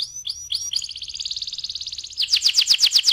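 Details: Rolling 'ngeroll' canary song for prompting other canaries: several short upslurred notes, a buzzy, rapid high trill, then a faster run of loud, bright downslurred notes.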